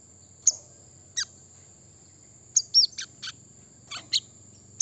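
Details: Brown-throated sunbird song meant to provoke wild opponents: scattered sharp high chirps with one short pair of hooked whistles, widely spaced, a faint low hum and a steady high whine beneath.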